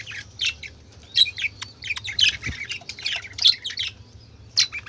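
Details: Colorful budgerigars chattering noisily: dense bursts of high scratchy chirps and squawks overlapping without pause, some short whistled notes, over a faint low hum.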